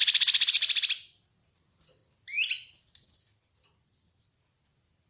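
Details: Kinoi bird on a master and lure recording: a rapid buzzy trill, then several high slurred whistles dropping in pitch. Short quiet gaps separate the phrases.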